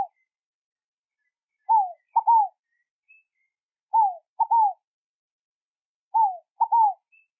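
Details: Scaled dove calling in a quiet setting, three evenly spaced phrases about two seconds apart, each a soft down-slurred hoot, a clipped short note, then a longer falling coo.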